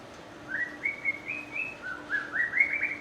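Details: White-rumped shama whistling a series of short, clear notes, each rising slightly and stepping upward, pausing briefly, then repeating the climbing phrase faster, sweet and even.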